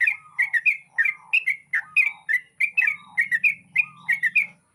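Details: Sooty-headed bulbul singing actively at dawn: short, bubbly, chirping phrases falling and rising, about three per second, with steady pauses between them and a faint low hum underneath.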